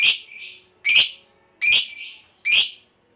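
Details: Fighter lovebird used as a lure recording: four harsh, rasping squawks about every 0.8 seconds, each a loud burst trailing off into a softer tail.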